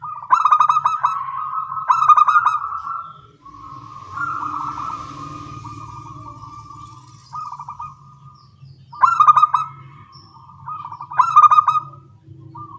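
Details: Morning exchange of local zebra doves calling back and forth: bursts of rapid stuttered coos every couple of seconds, then long, steady, mellow tones, with a low background rumble.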